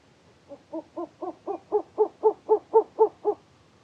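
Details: A singing male Short-eared Owl in Germany gives a quick series of about twelve low, hollow hoots, roughly four per second, swelling in strength and then stopping abruptly.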